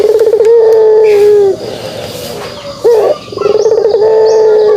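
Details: Kugeruk calling from a pelung turtle dove: a long level low coo, a quiet pause, a short sharp rising note, then another prolonged coo.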